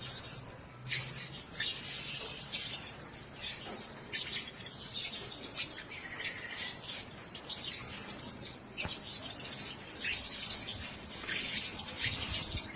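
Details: A cage of Blue-crowned hanging parrots keeps up a near-continuous, very high, thin chattering of rapid chirps, broken by brief pauses.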